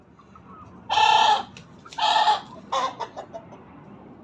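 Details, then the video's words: Aseel hen that crows like a rooster, giving three loud, harsh bursts, the first two about half a second long and the last shorter and trailing into broken notes, over a low hum. "KENDİNİ HOROZ ZANNEDEN HİNT TAVUĞU //TAVUK NEDEN ÖTER?WHY DOES THE CHICKEN CROW?"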